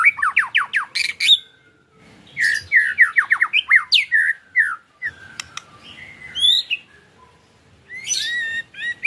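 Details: White-rumped shama singing a varied ketrekan song, a lure meant to prompt other shamas to sing. Rapid series of falling whistled slurs and sharp chirps in bursts, separated by pauses and scattered softer phrases.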